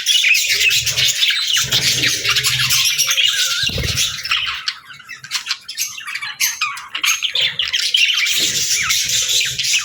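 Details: Budgerigars chattering nonstop, a dense mix of rapid high chirps, squeaks and warbles that runs almost unbroken, with a short quieter patch midway and faint low rumbling underneath.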